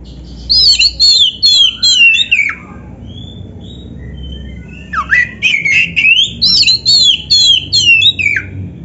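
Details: Oriental magpie-robin singing in full narung style to train other magpie-robins: two strings of loud, quickly repeated looping whistles, about eight notes each, split by a quiet pause with a faint soft whistle and low background hum.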